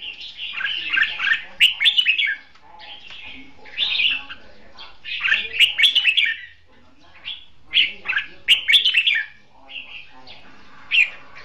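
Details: Red-whiskered bulbul singing in competitive duel style, a decoy bird used for trapping; bright warbled phrases of quick chirps repeated in bursts roughly every two seconds, with brief quiet gaps between phrases.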